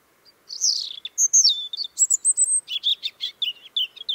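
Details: European robin singing in Tsaritsyno park, Moscow, 30 March 2023, its voice already heard at night; a sweet, rapid song of high whistled notes, slurred trills and quick clipped chips, running continuously for about three and a half seconds.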